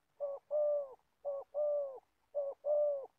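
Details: Aged decoy Spotted Dove in Gia Lai, Vietnam, used to lure wild doves. Three clean coo phrases sound, each a clipped opening note and then a fuller, sustained hollow tone, about a second apart.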